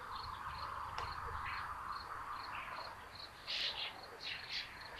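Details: Two common buzzard young sharing food in their nest at Tiszalök, Hungary, on June 8, 2022: a few loud, high, squealing notes near the end, over a constant fast cricket-like pulsing and a hum.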